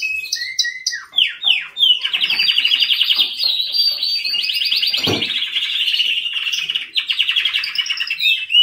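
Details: Canary song opening with clipped whistled notes, then long, rapid rolling trills and tour-like repeated phrases, with a brief low bump midway.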